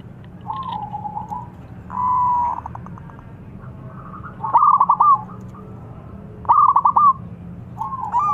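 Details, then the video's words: Loud-voiced local zebra dove kept as a song lure for other doves, delivering several separate cooing phrases a second or two apart, each a quick burst of clipped, bubbling notes, with a low background hum. "Perkutut Lokal Gacor Suara Besar Penarik Bunyi"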